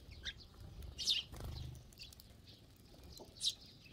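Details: Sparrows gathered to feed as a flock give sharp, high chirps in scattered bursts, with a brief flutter of wings in the middle.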